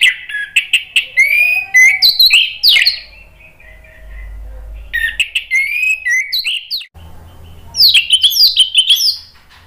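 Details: Long sequence of orange-headed thrush song meant to coax other birds into answering: rich, jumbled phrases of squeaky slurred whistles and sharp chips, repeated in three loud bouts separated by brief pauses with faint low hum.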